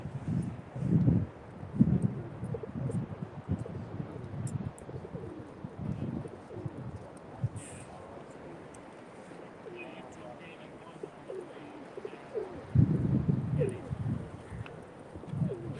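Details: A flock of pigeons perched on a pavilion roof by a fishing pier at Myrtle Beach State Park, on a cold day, gives low, soft, rolling coos in overlapping bursts.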